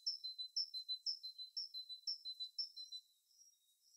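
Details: Small bird in winter giving high, thin chirped notes at a steady pace of about two per second, each a bright sharp tweet with a fainter lower whistle between, fading out near the end.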